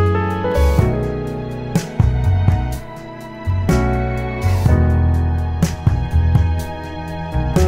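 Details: Plucked guitar and keyboard music plays throughout with steady chords and sharp note attacks, and no animal voices are heard.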